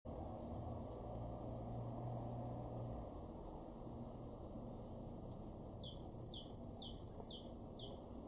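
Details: Great tit in a garden in Weener, East Frisia, northwest Germany, in April 2023, giving five quick, bright two-part notes, each a high tone dropping sharply, about twice a second, over steady low traffic rumble.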